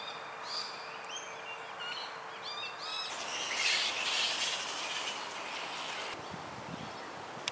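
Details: Eastern rosellas in suburban Melbourne, Australia: a series of short, upward-sweeping whistled notes repeated about every half second for three seconds, followed by a steady wash of broadband noise.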